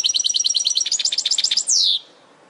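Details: Training recording of a European goldfinch for caged birds: a fast, even run of high tinkling twitters, about twelve notes per second, closing with a long downward-slurred buzzy note.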